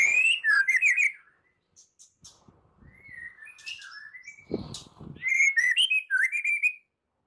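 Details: White-rumped shama singing in a morning lure meant to make shamas sing: twisting warbled whistles, a quiet stretch with scattered soft notes and a low thump, then another run of looping whistled phrases.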